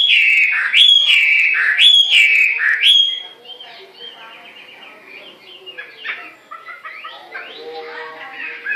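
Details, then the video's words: Chinese hwamei giving three loud, clear whistled phrases, each swooping upward, before the song drops to softer, scattered chattering notes. "Amazing Hwamei Bird Singing"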